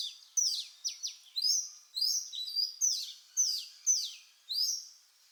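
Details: Singing Oriental magpie-robin, Copsychus saularis: a lively run of high whistles, quick downward-swept notes and brief warbles, phrases following each other about twice per second with no other sounds heard.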